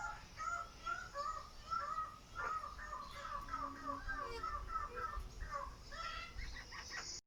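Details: A displaying Raggiana bird-of-paradise at Weltvogelpark Walsrode gives loud, nasal, repeated calls in quick overlapping bursts, rising and falling, over a faint murmur of background noise.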